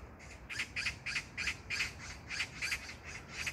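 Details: Magpie recorded 19 June 2022 in a Gyeyang-gu, Incheon, South Korea park: a clear, close run of around eleven harsh scratchy notes repeated several per second, briefly pausing midway, over quiet background.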